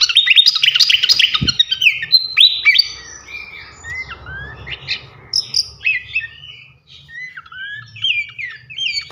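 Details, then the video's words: Flycatcher song used as a training recording for champion songbirds: a dense, fast run of high, sharp chirps and downslurred whistles, loudest in the opening seconds, then scattered quick notes over a faint low hum. "gacoan ngeplong masteran asah mental burung jawara khas srikatan kipas"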